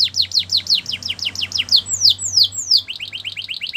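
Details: Belgian canary song used to get other canaries singing: quick repeated falling notes, then three long slow downslurred whistles, then a fast rising-note trill, with a faint low hum behind.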